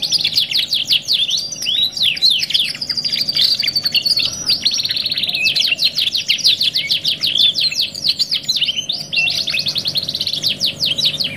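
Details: Canary song from a "2 in 1" masteran training recording, with long bursts of rapid repeated chirps and quick trills running almost unbroken, some brief swooping whistles between, and a faint background hum.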